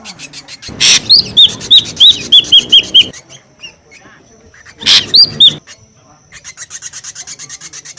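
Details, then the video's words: Ashy drongo lure call, noisy: a harsh burst opens a fast string of high whistled, down-slurred notes, then quieter chatter, another harsh burst with slurs, and a dense rapid rattle. "SUARA PIKAT SRIGUNTING RIBUT | SUARA PIKAT SRIGUNTING ABU ABU"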